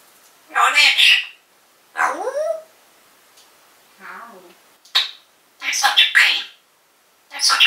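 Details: Pet African grey parrot chattering in its cage, 2012, calling out the owner's mother's name: alternating harsh syllables and voiced calls with curved harmonic sweeps, one soft low call mid-way, bursts roughly every second.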